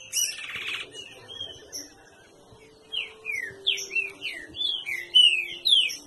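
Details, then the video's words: At a bird-breeding facility, a green-winged saltator gives a brief buzzy burst, pauses, then runs into a lively series of clear, downslurred whistled phrases that grow louder toward the end, over faint low hum. "Trinca ferro"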